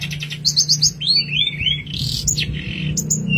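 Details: Long-tailed shrike song used as training material for songbirds: quick high chirps, a run of rising and falling whistled slides and a short buzzy rattle, tightly packed over about three seconds, with a constant low electrical hum beneath.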